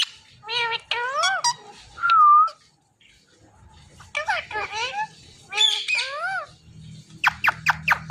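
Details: Pet parrot talking: several short, speech-like harmonic phrases with rising and falling inflections, one clear whistled note in the middle, and a rapid run of sharp clicks near the end, all in a quiet small room.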